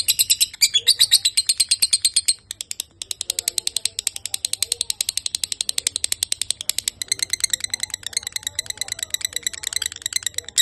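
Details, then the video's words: Lovebird singing at length: rapid high chirps, loud and dense for the first two seconds, then a softer but continuous chatter of sharp repeated notes. "Lovebird durasi panjang"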